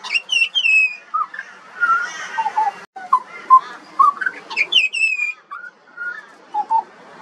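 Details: Singing juvenile pied butcherbird, Australian songbird: clear downslurred high whistles alternating with lower fluted notes and soft gurgles, in short varied phrases with brief gaps.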